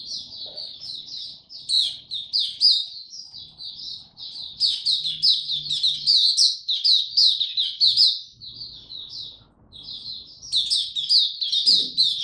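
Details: Young male white-eye with a maturing song, recorded 9 February 2022: long, fast, high twittering warble of chirps and slurred whistles, pausing briefly before resuming; faint low room noise.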